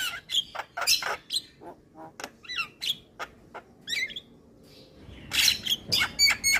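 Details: Male Javan myna, white-eyed type, in lure song for lazy birds: spaced harsh chips and twisting whistles, a short pause, then a fast burst of squawks and pure whistled notes.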